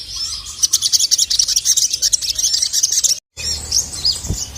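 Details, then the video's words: Male crested jay in full song, used as a training recording to provoke rival males: dense high chattering rattles and chirps, a break, then sharp scattered notes and a low thump. "SOGON MANAPUN NGMAUK GACOR langsung emosi dengar masteran suara burung sogon jantan ini"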